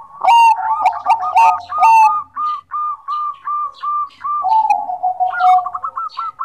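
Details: Energetic song of a Bangkok zebra dove meant to prompt quiet birds to sing: continuous rolling coos with ringing accents, then evenly repeated short clipped coos and a closing bubbling trill.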